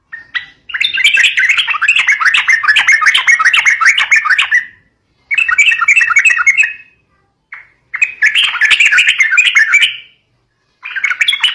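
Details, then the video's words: Yellow-vented bulbul, or trucuk, in a recording for prompting young birds: loud, harsh, rapid chattering song in long bursts of several seconds, divided by short silences. "COCOK BUAT PANCING BURUNG TRUCUK MUDA"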